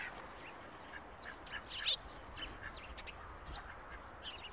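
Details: Several July ducklings calling with thin, high peeps in quick, irregular bursts, the strongest coming just before halfway, with softer overlapping chirps around it against a faint constant hiss.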